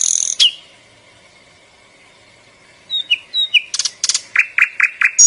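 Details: Small bird giving a loud harsh burst, then a long faint steady whistle, followed by a series of short sharp chirps and clicky notes repeated rapidly, about two per second toward the end.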